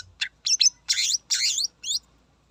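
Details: Greater green leafbird singing vigorously to provoke rival birds: bursts of high, scratchy, twisting notes in five quick phrases over about two seconds, with near silence between them.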